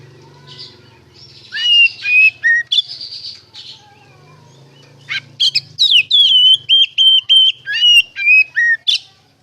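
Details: White-rumped shama singing 'ngeplong' style, played as a lure so shamas answer; scattered whistles and buzzy notes, then a long run of loud, clear, evenly spaced whistled phrases over a faint low hum.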